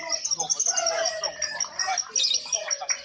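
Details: Contest lovebirds competing for the judges' flag by active calling; a rapid, continuous chatter of high squeaky notes, about two to three per second, with faint lower tones beneath.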